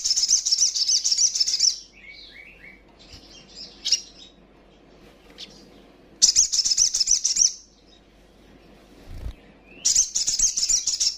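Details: Female sogon (little spiderhunter) call, played to provoke rivals into fighting song: dense high-pitched chattering bursts at the start, middle and end, with softer scattered twitters in the gaps.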